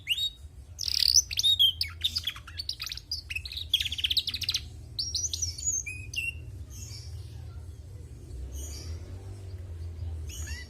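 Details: Female canary singing, a lively warbling run of high chirps, trills and short whistled notes with quick rapid phrases, fading to softer scattered notes, over a steady low hum.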